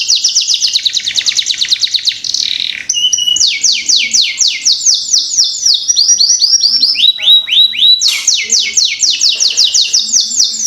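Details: Caged canary singing a lure song meant to prompt young canaries to sing quickly: a loud, continuous run of high rapid trills and rolling phrases, the pace shifting between fast sweeping notes and buzzier rolls.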